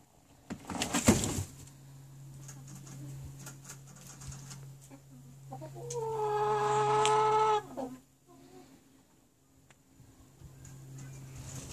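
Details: Chicken giving one drawn-out, harmonic, nasal call lasting about two seconds, steady in pitch, after a brief loud rustle near the start; a low steady hum runs underneath with faint clicks between sounds.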